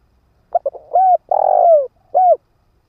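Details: Ground-kept decoy spotted dove calling to lure wild birds: two short clipped notes, then a bending coo, a long throbbing rolled coo, and a final short coo. One full phrase in quiet surroundings.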